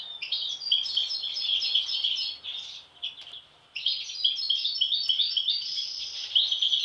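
A European goldfinch gives a bright, tinkling, rapid twitter of high liquid notes, pausing briefly midway before resuming; the background is otherwise quiet.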